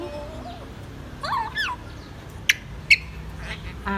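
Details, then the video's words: A pet grey parrot at home, urged by its owner to say hello to mommy, gives a quick run of swooping, rising-and-falling whistled notes, then two sharp clicks, over a low household hum. "Grey Parrot say Hello to mommy"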